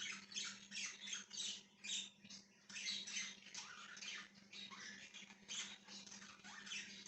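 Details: Budgie chatter recorded 1/6/2023, a busy stream of raspy chirps and warbled notes with a few quick rising and falling whistles, barely pausing, and a constant low hum beneath.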